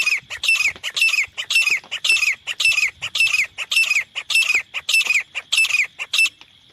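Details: Grey francolin, a hunter's call for luring and catching the birds: loud, harsh, grating squawks repeated rapidly about twice a second in a steady series, with a thin continuous high whine behind.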